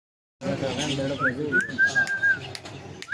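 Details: Talking parrot giving a short rising whistle, then a long, level, slightly wavering whistled note, over continuous low, voice-like chatter.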